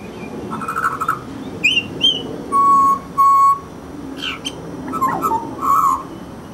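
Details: Grey butcherbird giving loud, clear whistled notes: short warbled phrases, quick rising chirps, then two long steady flat-pitched whistles, followed by more warbling notes near the end over a quiet background.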